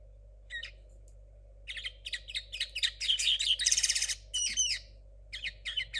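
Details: Still learning, a young linnet hybrid hatched in 2022 sings short twittering phrases that build into a dense buzzy trill around four seconds, then breaks into clipped separate notes, over a low electrical hum.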